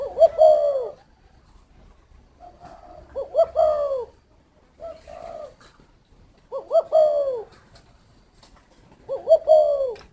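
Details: Spotted dove at a Ba Vì, Hanoi, Vietnam aviary, calling four loud, hoarse coo phrases of quick stuttered notes and a long falling tone, roughly every three seconds, with softer coos in the gaps.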